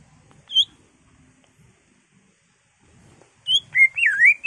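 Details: Caged greater green leafbird singing as a lure for other leafbirds: one high whistled note, a long quiet stretch, then a set of swooping, warbled whistles that rise and fall in pitch.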